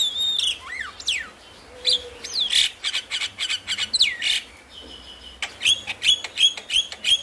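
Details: Javan myna song meant to spur lazy mynas into singing: loud sweeping whistles, slurred up and down, mixed with harsh chattering bursts and a run of sharp repeated notes at the end.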